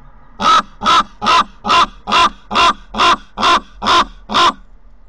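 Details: Common raven at a nest site in Corbera de Llobregat, Barcelona, recorded by a nest camera: ten hoarse, nasal croaks repeated steadily about twice per second, loud and evenly spaced with no other sounds.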